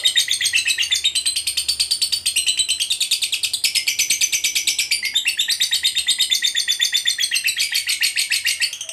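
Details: Fighter lovebird in ngekek panjang style, a long trill used to provoke other lovebirds: a continuous, rapid, chattering run of sharp high notes sustained for the full nine seconds, pulsing many times per second, in a small room.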